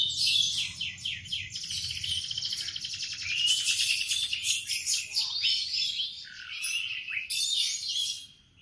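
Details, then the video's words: Canary in morning song, delivering very fast rattling trills and chattering runs, a near-continuous stream of high notes with brief dips in loudness, faint low background noise. "Kicauan kenari di pagi hari"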